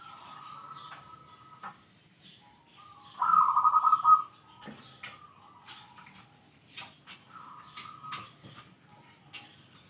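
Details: Zebra dove noted for a big 'kung' voice and for calling out rivals: faint steady cooing throughout, then one loud, trilled, rolling phrase lasting about a second, followed by soft tapping and clicking sounds.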